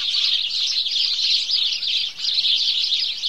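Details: Many house sparrows chirping together in a morning chorus, a shrill, seamless chatter with a short lull near the end before the noisy cheeping resumes.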